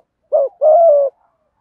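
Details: Single coo phrase from spotted doves, male and female, used to draw in wild birds: a brief low note followed by a longer, even, hollow coo, then silence.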